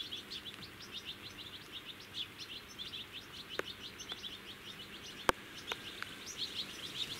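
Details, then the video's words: Common linnet calling from blackthorn in July 2017: sustained fast twittering, many short chirps in a steady run, interrupted by a few sharp clicks and one loud knock midway. "Коноплянка 170619 15 в терне"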